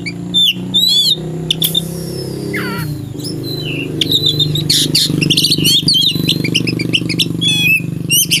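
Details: Oriental magpie-robin in the afternoon, primed for a fight with a rival: scattered high whistles, twitters and a harsh rasp over loud low humming background noise.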